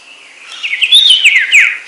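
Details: Cipoh Sertu, the Common Iora: a brief, rapid run of sharp, falling twittered notes in a master song recording.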